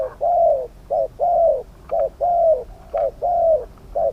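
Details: Spotted dove singing in a Thai decoy-trapping setup alongside a wild bird with a medium-pitched voice: low mellow coos in steady alternating short and long notes, about one per second, with faint background hiss.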